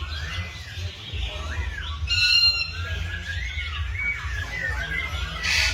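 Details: A morning chorus of birds with drawn-out whistled arcs, a bright burst of higher chattering notes near the middle, and squeaky calls, all over a persistent low droning background.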